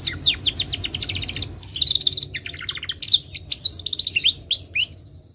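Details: Timbrado canary song with a fast rattling trill, a buzzy rolled passage, then varied chirps and clear rising whistles tapering into quiet.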